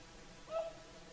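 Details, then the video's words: Single whooper swan call from an evening sunset chorus on Lake Saimaa's shore in Finland: one short, nasal, bugling note, slightly rising, standing alone against quiet background noise. "Swans singing at sunset"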